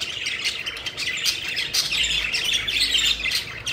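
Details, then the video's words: A group of pet budgies having fun, flying and chirping, heard as a steady, dense babble of raspy warbles and squeaks with no quiet gaps. "Budgies Having Fun: Playful Birds Flying and Chirping Joyfully"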